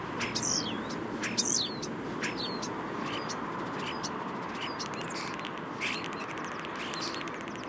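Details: Common starling singing a jumble of thin whistles, clicks and sweeping notes, seemingly trying to out-sing the steady roar of city traffic noise.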